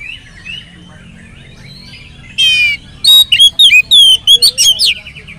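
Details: Oriental magpie-robin, singing as a lure for other magpie-robins: soft distant chirps first, then a loud buzzy trill and a quick series of bright, twisting whistled notes.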